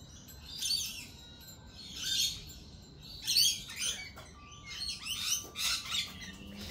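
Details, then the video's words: Lorikeets at a lorikeet cafe giving harsh, high screeching calls in short bursts about every second, several overlapping toward the end, with a faint steady tone and low background hum. "Lorikeet Cafe"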